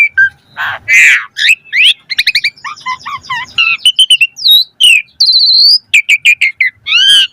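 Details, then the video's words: Asian pied starling in a full-variation 'mompa' song. Harsh squawks lead into fast rhythmic chatter, wavering whistles and a long high clear note, then more chirping. "Pancingan Jalak Suren Full Variasi Mompa - Masteran Suara Burung Jalak Agar Gacor Full Isian Mewah"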